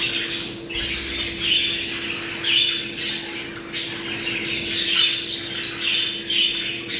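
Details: Breeding-stimulation call of budgerigars: bursts of scratchy warbling and squawks roughly every second from several birds, over a constant low hum.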